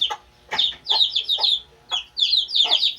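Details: Shrill descending peeps from two-day-old Shamo chicks come in short clustered bursts separated by brief pauses, each note a quick high whistle sliding downward.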